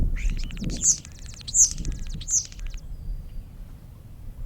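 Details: A common (European) starling gives a fast, buzzy rattle of clicking notes with three bright, high whistles woven through it, lasting under three seconds; low rumbling background noise throughout.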